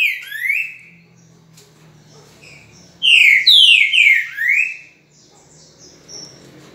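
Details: Green-winged saltator recorded on 10 November at 8:05 in the morning: a soft opening note, a quiet gap, then a strong phrase of three or four descending slurred whistles falling in pitch toward the end, followed by faint notes.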